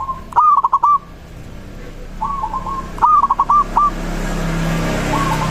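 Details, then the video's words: Local zebra dove singing a song said to draw replies from other doves: three quick stuttered cooing phrases over a steady background hum. "Perkutut lokal suara ini disukai burung perkutut langsung nyaut"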